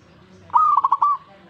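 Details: Single zebra dove phrase in response to a master recording: a held whistled note breaking into four quick bubbling pulses and ending on a sustained tone, all at one fairly high pitch.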